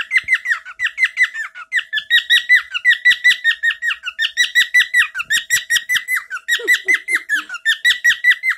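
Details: Pet bird singing one of its favourite chirps, a phrase it repeats often. Its sharp, squeaky chirps come about two or three per second, steady and rhythmic, in a small room.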